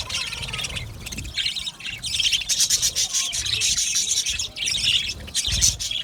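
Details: Colony of budgies in an aviary, many birds chattering at once: continuous buzzy chirps and rasping warbles that swell louder after the first two seconds, with faint low rumbles underneath.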